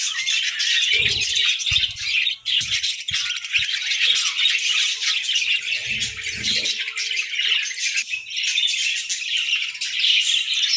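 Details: A group of breeding budgerigars in winter squawking and chattering without pause, a high scratchy chorus broken by occasional low thumps near the start and middle.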